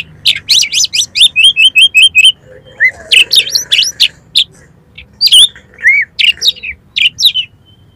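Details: Oriental magpie-robin in persistent song full of learned material, used to stir competition birds: a fast repeated series of bright downslurred whistles about six per second, then varied loud chirps, twisting slurs and rasping notes.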